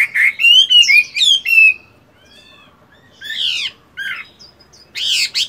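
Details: Moulting caged Chinese hwamei, a fighting bird, doing morning voice training: bright slurred whistled phrases, then a pause and harsher buzzy bursts with rough chattering notes.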